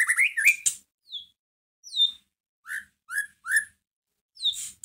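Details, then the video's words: White-rumped shama song meant to rouse a caged bird: an opening rising warble, then separate loud whistled notes falling in pitch, spaced about half a second to a second apart. "Pancingan masteran pendongkrak emosi murai batu"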